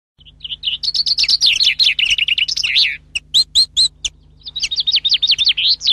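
A common chaffinch sings bright, rapid phrases of high notes that tumble downward, with a low steady hum behind.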